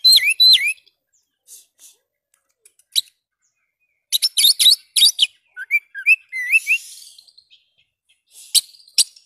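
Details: Oriental magpie-robin singing vigorously to stimulate silent birds: opening slurred whistles, scattered clicks, a dense burst of harsh rattles, rising twittered notes with a soft buzzy trill, then two sharp notes after a pause.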